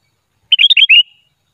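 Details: Trapping lure of the sooty-headed bulbul, unedited: one rapid phrase of about six tumbling whistled notes ending in a short trailing tone.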